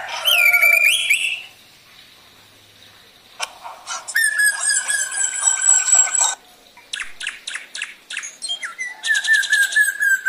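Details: Black drongo song for luring other birds into song: a clear whistled phrase, then long buzzy rasping notes, clipped metallic chips and a fast trill, all loud and varied.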